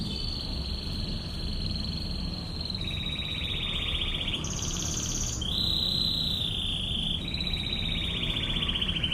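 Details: Canary in 'tembakan ngebren' style, the long rolling bursts used to train other birds: sustained rapid trills that step down, jump up to a higher roll, then settle back, over a constant low hum.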